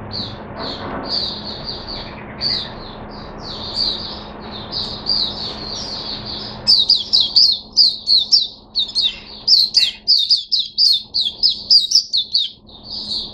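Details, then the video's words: Caged Oriental white-eye in opening song, 5 May 2022, sings a fast, high twittering of thin chirps, growing louder and quicker halfway through, over a faint steady hum. "Mata Puteh Hercules V1 buka sing"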